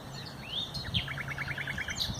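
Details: On 30 April 2021 a common nightingale sings a rising whistled note, then a quick sharp accent, followed by a fast even series of about nine repeated piping notes, with a low hum behind.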